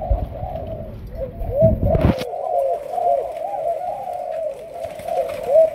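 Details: Malaysian-strain spotted dove, young and just starting to coo, being trained as a decoy bird. A low rolling coo runs almost unbroken after a short burst of rustling noise near the start.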